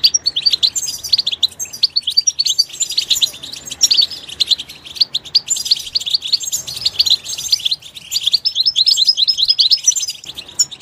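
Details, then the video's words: Goldfinch singing in its natural environment: dense, high twittering song in bursts of rapid chirps and liquid trills, with short pauses between phrases over a quiet background. "soothing nature sounds of the Goldfinch"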